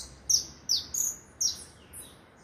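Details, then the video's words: Four clear, high chirps from a saffron finch, spaced roughly half a second apart, each a sharp downslurred note, followed by a softer fifth note; quiet background. "canário da terra cantando"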